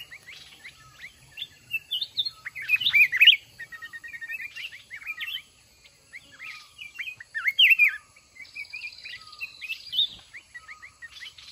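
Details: Red-whiskered bulbuls, a wild mountain bird confronting a caged decoy caught one month earlier, in a lure-trap fighting contest; bursts of short bright whistled notes and rising-falling chirps in quick overlapping phrases, some louder calls at three and eight seconds.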